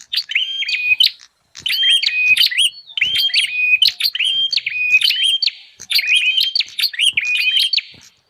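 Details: Bar-winged prinia lure sound for wild birds: rapid chattering clicks mixed with short level whistles, delivered in dense back-to-back phrases with one brief pause near the start.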